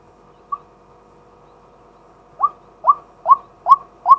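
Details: A male white-breasted waterhen used as a decoy, calling in daytime and recorded live: one isolated note, a pause of nearly two seconds, then five quick upslurred kwak notes about half a second apart.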